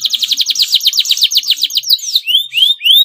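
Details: Yellow male canary, slightly in breeding condition, in full, lively song: a rapid run of about twenty high, downslurred notes over two seconds, followed by three slower, clear, rising whistles.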